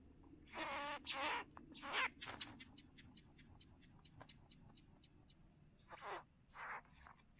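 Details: Great Bowerbird displaying at Lake Bennett, Northern Territory, Australia, on 27 August 2020: harsh, hissing rasps in short bursts, a loud run near the start and two later blasts, with faint rapid ticking clicks between them.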